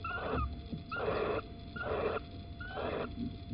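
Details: Little owl near Holten, morning of 9 April 2020, while the male delivers an earthworm: four wheezy hissing calls, each opening with a short tonal note, spaced roughly a second apart over low rumbling background noise.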